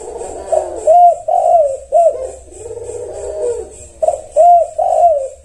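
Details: Zebra dove (tekukur) responding to another bird with a run of gentle, rolling coos, some notes arching up and down, repeated roughly twice a second in uneven phrases over a low hum.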